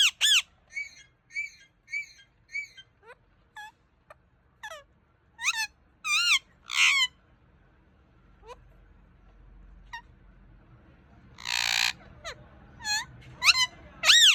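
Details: Pet parrot playing and making sounds: a quick series of short chirps, then loud harsh arched squawks, scattered clicks, a dense noisy burst, and more squawks at the end.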